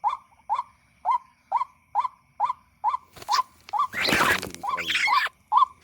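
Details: White-breasted waterhen at night, appearing after a recording is played to lure it during hunting: harsh notes repeated about twice a second for three seconds, then a loud rustling burst and more scattered calls.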